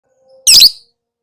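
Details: Lovebird kept as a therapy songbird, giving a single harsh, high, buzzy chirp about a third of a second long, with a faint thin tone just before it.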